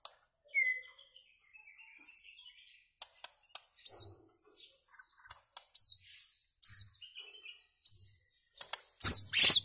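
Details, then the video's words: White-rumped shama, recorded to tutor goldfinches and their hybrids in rare notes; varied song of sharp high rising whistled notes near 4–5k, broken by clicks and short twitters, ending in a loud burst. "تغريد عصفور الشاما صائد الذباب الهندي لتلقين الحسون وهجينه للحصول على نوطات نادرة جداً"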